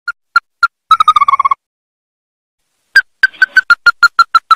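Ruddy-breasted Crake giving hard, nasal single notes, then a quick descending trill. After a pause comes a run of about ten notes, speeding up, in a quiet setting.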